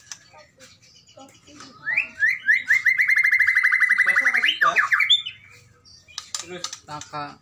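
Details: White-rumped shama of the Medan type calling to provoke a rival, a long rapid rattling 'keretekan' trill held steady for about three seconds, preceded by short rising notes and followed by scattered chirps, with faint speech in the background.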